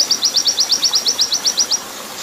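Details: Brief burst of oriental white-eye 'nembak panjang' song for training: about thirteen high, sharp chips in a quick even series, then only a soft hiss of water.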